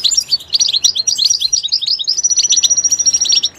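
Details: Goldfinch singing in its natural environment, a dense, fast stream of bright chirps and trilled notes, capped by a thin, level high whistle near the end.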